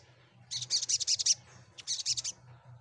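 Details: High, rapid sunbird trill, meant to get other birds singing back. A quick run of bright metallic notes is followed by a shorter second burst after a brief gap, with a low background hum.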